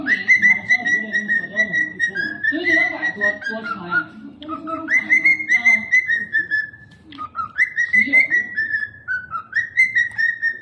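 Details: Cockatiels whistling bright sustained notes in repeated rising and falling phrases, with lower murmuring sounds mixed in during the first half.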